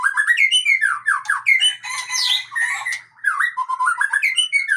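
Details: Male white-rumped shama, Aceh type, sings a dense, fast stream of rising and falling whistles with a harsh rasping section in the middle, then more rapid varied whistled phrases.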